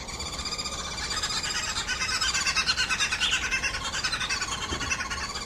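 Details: Green wood hoopoe, known in Zulu as iNhlekabafazi, 'laughing women', a flock bird usually heard before seen; a fast, steady run of harsh, nasal cackling notes, about three per second, swelling and easing like laughter.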